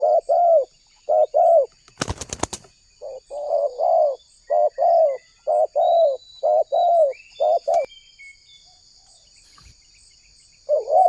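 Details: Spotted dove, Indonesia, calling as a lure to draw wild doves: repeated two-part coos, a short wavering note then a longer level one, in a steady series, with a sharp clatter near the start, faint high chirps of other birds, and a constant high insect-like hum.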